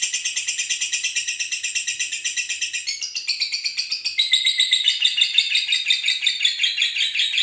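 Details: A pair of lovebirds calling noisily at night: a dense, continuous stream of sharp, high chirps repeated about three times a second, brightening and growing louder in the final seconds.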